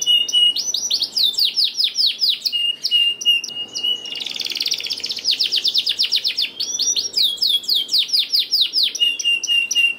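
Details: Singing canary, played to coax reluctant caged canaries into song: continuous high rolling trills of quick downslurred notes, a dense rapid buzzy burst in the middle, steady whistled tones between phrases.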